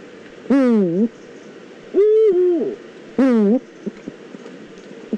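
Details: Two Eurasian eagle-owls in the Eifel; three loud, rough, harmonic calls about half a second long, each dipping then rising, spread over five seconds, with a few faint clicks after.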